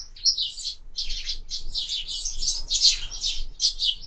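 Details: Sparrows at a window-mounted feeder during active morning feeding, chattering in rapid high chirps that overlap almost continuously, close and fairly loud.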